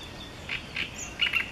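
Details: Great reed warbler giving short, harsh, chattering notes in quick bursts, with a faint hiss of background noise, recorded 20 May 2014 at Jaworzyna Śląska.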